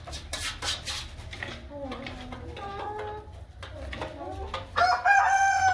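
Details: Light Columbian Brahma chicken on a farm: soft clucks and scattered knocks, then a loud harmonic rooster crow in the final second, over a steady low hum.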